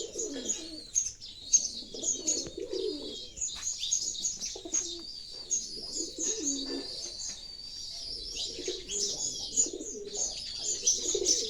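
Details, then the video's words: Pigeons giving low, rolling coos in bursts over constant busy chirping of sparrows high above; pigeon. "the sounds of pigeons and the sound of spparow"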